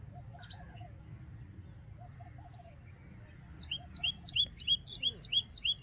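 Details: Common tailorbird singing a rapid, steady series of loud, sharp, high paired chirps, about three a second, in the second half. Quieter chirps and a soft, lower run of short notes from another bird come first, with faint hum behind.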